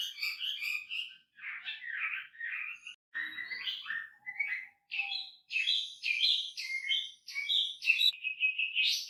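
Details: Varied wambi song in short bursts: chattering chirps, scratchy buzzes, a few thin pure whistles, then clear repeated whistled phrases, roughly two per second.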